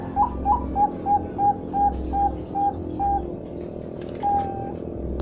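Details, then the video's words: Bangkok-type zebra dove (perkutut bangkok) singing: two quick rising, wavering coos, then a run of about eight short, even, tonal coos, and a longer closing coo after a pause, over a steady low hum. "Suara Burung Perkutut bangkok"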